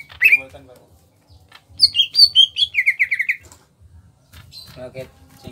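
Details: Small Kalimantan greater green leafbird singing gacor ngentrok: one sharp whistle, a pause, then a quick series of about ten clear notes stepping steadily downward, followed by softer scattered calls over a low hum.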